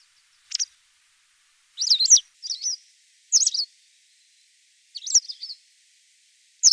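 A white wagtail gives sharp, high, twittering chizzick calls in clusters of two or three notes, spaced about a second apart, against a quiet background.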